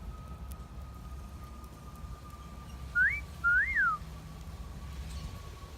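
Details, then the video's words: Single wolf whistle from a pet parrot outdoors in a garden: a sharp upward whistle, then a rising-falling one. A steady faint tone and low rumble run underneath. "Parrot Wolf Whistling"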